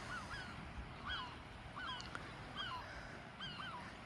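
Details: Herring gulls on the Godrevy coast of Cornwall on a calm July summer day give short, harsh, downslurred calls roughly once a second over a steady rush of sea and wind.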